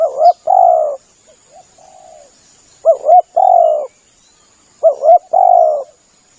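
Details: Spotted dove cooing for luring birds: three phrases each of a looping double note then a drawn-out coo, with soft low murmured coos in the gaps and a faint steady hiss.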